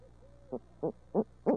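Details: Barred owls living in Midtown Tulsa: a faint, drawn-out arched note, then four short low hoots about three per second, each stronger, over a soft background hum.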